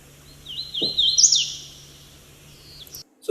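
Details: Hooded Warbler, captured with a handheld shotgun microphone while a parabolic microphone recorded at the same time; a clear, high, slurred whistled phrase of about two seconds with rising and falling notes, one low thump near the start, then an abrupt cut.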